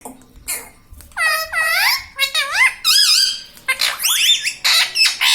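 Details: Pet parrot kept indoors, mimicking the words "mummy papa": a run of squeaky, harmonic-rich syllables that swoop up and down in pitch, delivered in quick bursts with brief pauses, in a small quiet room.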